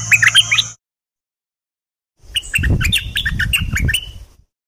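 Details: Dok taeng bird song, used in Thailand to train young birds and excite them: a brief burst of high twittering notes, a pause, then a longer run of sharp chirps and short whistles over low rumbling noise.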